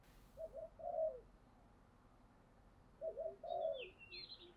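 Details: Spotted dove trained for fighting and luring, giving soft, distant two-part coos twice over a steady background hiss. A high chirping bird is heard at the end.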